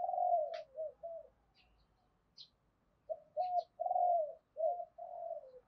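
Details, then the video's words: Spotted dove cooing to stimulate other doves: repeated mellow coo phrases in two bursts separated by a quiet gap, with brief high chirps of other small birds. "Chim cu gáy kích bổi hiệu quả mỗi ngày"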